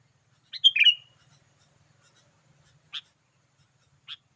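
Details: Sooty-headed bulbul call to lure wild birds: one bright, bubbling whistled phrase followed by two short, sharp chips a second apart, in otherwise quiet surroundings.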